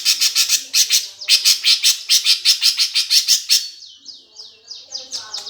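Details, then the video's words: Greater green leafbird giving its 'gereja tarung' fighting song, used as a lure to provoke contest birds: fast run of harsh, chattering high notes, roughly three per second, then a few clearer slurred descending whistles. "cucak ijo suara gereja tarung"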